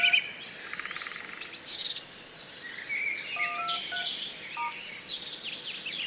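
A black kite gives a quavering, whinnying trill early on, followed by high thin chirps and short whistled notes from other birds.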